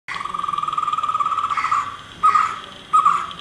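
A white-cheeked barbet gives a low, rolling trill, then three loud, throaty notes spaced well under a second apart.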